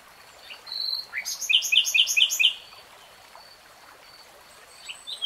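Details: A common nightingale sings a short whistle followed by a run of about five loud, rich repeated notes, then quiet scattered chirps.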